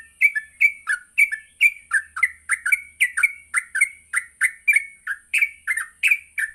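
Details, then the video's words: Yellow-vented bulbul giving a lively morning lure song used to train other bulbuls to sing and ngropel: bubbly, chirping two-note phrases, rising then falling, repeated about three times a second, with a steady thin high whine behind. "Pancingan Pagi burung trucuk Gacor sangat cocok untuk melatih trucuk belajar bunyi dan ngropel"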